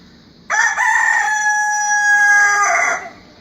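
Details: Rooster crowing, with aseel rooster mentioned: one loud, clean crow of about two and a half seconds, harmonic and strong, opening abruptly, holding a steady tone, then falling away at the end.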